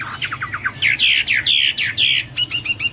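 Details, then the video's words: Energetic Hwamei song, a pet bird sung for training other birds, with quick descending notes followed by loud buzzy slurred whistles and a final rapid series of repeated high chips. "Burung Hoa Mi gacor"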